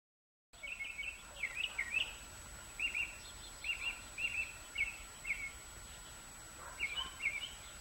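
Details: Bluebird at a nest where five eggs hatched in late June 2019 and all young fledged in mid-July; short warbled chirps come in clusters of two or three, pausing between bursts, against a quiet, faintly hissing background.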